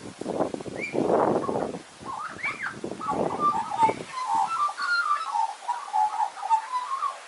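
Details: Australian magpie caroling: after a stretch of rough, rustling noise, a steady run of soft, liquid warbled notes follows, rising and falling in quick succession.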